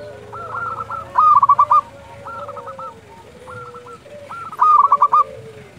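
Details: Local zebra dove calling at dusk, used as a tutor and lure for other doves: two bursts of quick rolling coos separated by softer, quieter cooing phrases, over a low background hum.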